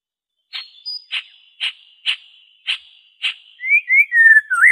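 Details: White-rumped shama, original song without mimicry, played to coax captive birds into singing: evenly spaced sharp notes about every half second, ending in a few rising and falling whistles.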